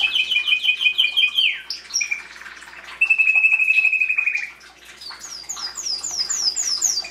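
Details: Domestic Belgian canary in full song, 2016, used to encourage chicks: a rolling trill drops into a steady lower trill, then a rapid series of rising high notes repeated several times a second.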